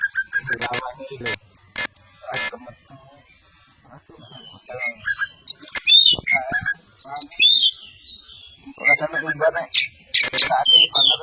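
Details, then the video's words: Champion caged white-rumped shama (kacer) giving a mix of sharp clicks, whistled slurs and chattering notes, with loud tapping or clicking sounds in between. "burung kacer juara josss"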